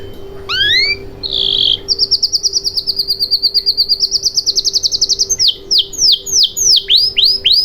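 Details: Canary song used as a lure to get silent canaries singing: rising whistled notes, a short buzzy burst, then a long fast trill of repeated high chips, ending in loud downward-sweeping whistles repeated about three per second.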